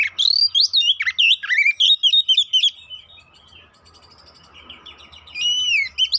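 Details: Oriental magpie-robin, kacer poci, singing as a lure to provoke fighting: rich, loud whistled phrases with sweeping slurs and sharp chips, bursts then a quieter gap, resuming with long pure whistles; faint low hum beneath.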